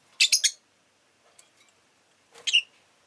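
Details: Rosy-faced lovebird letting out a rapid triple chirp, a faint note, then one more harsh, shrill chirp that slides upward at the end.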